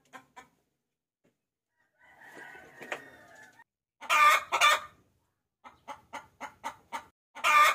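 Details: Female chicken calling the male as a lure: scattered soft clucks, a quieter drawn-out murmur, then two loud harsh cackles followed by a short run of clucks and a final loud cackle.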